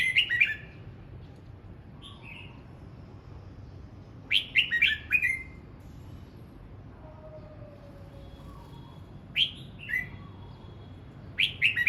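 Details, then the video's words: Morning voice practice by a red-whiskered bulbul: clusters of three or four rapid, bright chirpy whistles that slur downward, delivered in bursts with long quiet gaps, plus a few softer lower notes between. "Chim hót sáng hay | Chào mào hót luyện giọng 12 phút cực hay"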